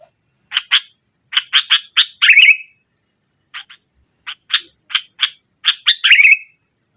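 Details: Sooty-headed bulbul in lively 'nggaruda' style meant to overpower rivals, used as a lure for a silent bulbul: bursts of short harsh chattering notes, each run ending in a slurred downward note, with a faint thin steady whistle between bursts.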